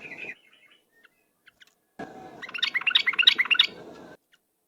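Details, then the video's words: Ropel-style lure song of a yellow-vented bulbul: a brief squeaky note, a pause, then a quick two-second run of bright, bubbly chirps repeated at an even pace. "suara pikat trucuk ropel"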